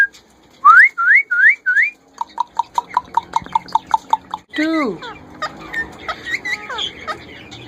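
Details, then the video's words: A tame female Indian ringneck parrot talking, with four rising whistled notes, then a rapid series of clicking pulses, then a falling, voice-like swoop and softer chatter. "indinan rose Ringneck parrot female talking"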